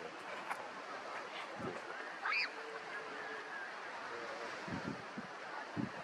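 An Audouin's gull gives one brief, nasal, harsh call over a steady wash of background noise with faint low thumps.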